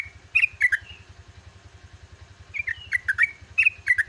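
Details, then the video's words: Yellow-vented bulbul at dawn delivering short groups of liquid, slurred chirps in the 'gacor ropel' style, separated by a long pause, over a constant low pulsing hum. "TRUCUKAN GACOR ROPEL"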